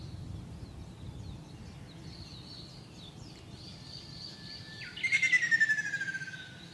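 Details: Ruddy kingfisher singing in Shizuoka Prefecture, Japan, on 2 June 2024, with several birds in a wide area: a rolling, pulsed trill sliding steadily downward over about two seconds, after high thin notes from other birds.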